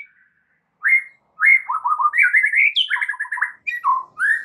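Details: White-rumped shama song played as a lure so a shama sings its whole repertoire: after a short silence, a varied chatter of mid-pitched whistles, warbles and quick note clusters, with a few rising and falling slurs.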